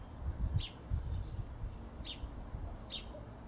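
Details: A sparrow gives three short, bright chirps spaced about a second apart over a low background rumble.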